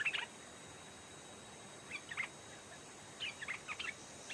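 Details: Stripe-throated bulbul, a fierce old wild bird answering a caged decoy near a trap stand. Quick warbled chirps come in three brief clusters of rapid notes, with quiet gaps and a constant high insect drone behind.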